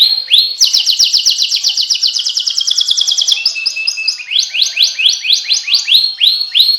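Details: Canary delivering a rich, continuous song of fast repeated whistled syllables. A rolling trill slides gradually lower, then the bird switches to a new series of sharp, repeated chirping notes.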